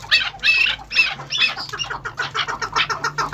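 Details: Captive chukar partridges, first- and second-cross maskati chakor breeding pairs kept on a farm, giving loud harsh repeated chuck notes in quick overlapping bursts, several birds calling together with a faint low hum behind.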